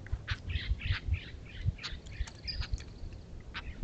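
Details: Raucous Steller's jay at a feeder, protesting the presence of a California scrub jay: harsh, rasping squawks in a quick burst of about six over two seconds, then a few scattered shrieks over a steady low rumble of wind or handling noise.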